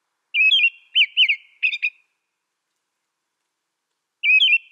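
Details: American robin singing a quick string of four warbled whistles, then a two-second silence before one more phrase.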